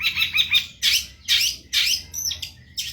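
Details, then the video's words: Long-tailed shrike in a gacor cendet masteran: harsh, raspy phrases about every half second, then a thin, high whistled note near the end, over a faint low hum. "MASTERAN BURUNG CENDET GACOR PARAH"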